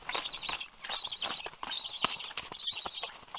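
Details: Black stork chick at Karula, Estonia, on 27 August 2022, the last young left in the nest, crying to be fed before a parent flies in. Harsh, wheezy bursts repeat roughly every second, broken by sharp clicks and knocks.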